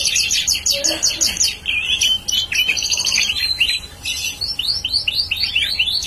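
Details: Bar-winged prinia, a prospective lure bird, singing vigorously; rapid bursts of high, clipped notes in quick trilled runs, pausing briefly, then steady repeated upslurred chirps, about five per second.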